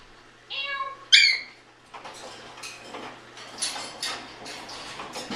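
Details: Adopted 16-year-old African grey parrot kept indoors, vocalising while its owner cleans. Two clear harmonic whistled notes, the second sharper and louder, then a stretch of household clatter and rustling.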